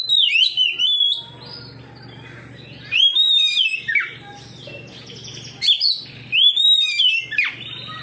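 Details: Oriental magpie-robin singing openly after hearing another magpie-robin, unloading its song repertoire; varied whistled phrases with swooping, descending and trilled notes, given in three or four separate bursts over low background hum.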